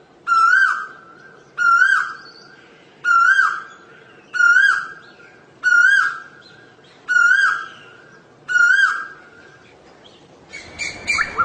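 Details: Asian koel calling repeatedly, seven loud clear notes with a rising-then-falling whistled inflection, spaced about every one and a half seconds, with a brief different chattering sound at the very end.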